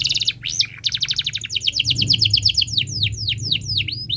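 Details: Canary song for teaching young canaries: fast repeated chirps, a dipping whistle, then long runs of evenly spaced descending notes that broaden into looping whistled sweeps.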